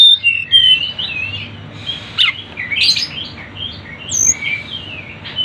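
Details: Sunda bush warbler song from a bird-luring recording: warbled, sliding whistles running almost without pause, punctuated by a few loud sharp accents and a thin high note.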